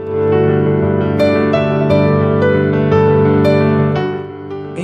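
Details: Loud, slow piano music with sustained chords and no animal sound.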